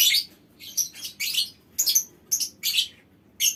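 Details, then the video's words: Caged lovebird colony in a mini aviary calling: a string of short, piercing, squeaky chirps and chattery bursts spaced a fraction of a second apart. "Suara Lovebird Koloni Bikin Burung Lain Ikut Ngekek Panjang"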